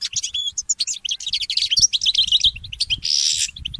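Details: Goldfinch hybrid, called a mule, singing in the morning: fast high warbling twitters and short whistled slides, ending with a brief harsh buzzy burst followed by a few soft chips.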